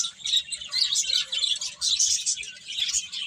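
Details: Group of birds chirping in quick bursts, shrill tweets crowding together, swelling and fading in short waves.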